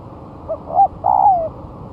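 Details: Lure song of a spotted dove, one month after moulting, tested on the ground: a single phrase of a faint short coo, a rising then falling note, and a long drawn coo sliding downward, with steady low noise beneath.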